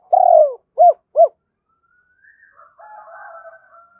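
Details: Challenge cooing of a spotted dove calling to a rival: a long, slightly falling coo followed by two short arched coos. Faint, broken higher notes trail off afterwards.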